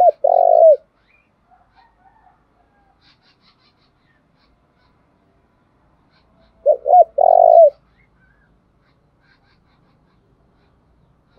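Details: Decoy spotted dove calling to draw in wild doves. Two loud phrases roughly seven seconds apart, each quick double coo leading into a drawn-out rolling coo, with near silence between.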